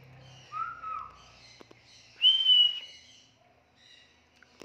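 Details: African grey parrot giving a soft, low whistled note that slides downward, then a louder, higher drawn-out whistle, with faint clicks and a low hum underneath.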